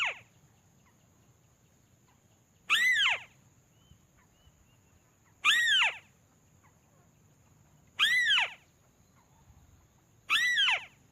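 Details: Crake call used as a lure: four loud, arched squealing notes that rise and then fall sharply, spaced about two and a half seconds apart, over a steady high-pitched hum and low background noise.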